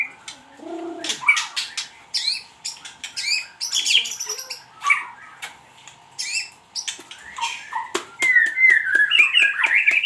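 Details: White-rumped shama song used as a lure: a dense, varied run of sharp chips, short clicks and whistled phrases, ending in a fast warbling trill, over a steady low electrical hum.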